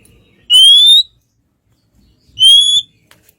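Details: Oriental magpie-robin singing relaxed, used to provoke a less excited rival into answering and fighting; two clean, pure whistles, each slowly rising over about half a second, separated by nearly two seconds of silence.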